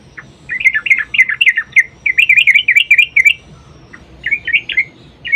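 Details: Sooty-headed bulbul's long rolling fighting song, used as a lure to make other bulbuls answer: rapid chains of warbling, bubbling notes in two long runs, a pause, then short further bursts.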